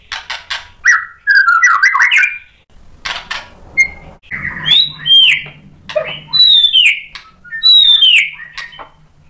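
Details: Provoking song from a White-rumped shama: varied warbled phrases early on, then high, clear, down-slurred whistles repeated about every second, with a low background hum.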